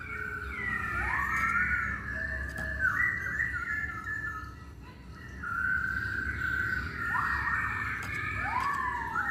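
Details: Lure song of the masked laughingthrush, played to draw other birds into song: several overlapping whistled phrases, some upswept arcs and some level notes, running continuously over a soft background hum.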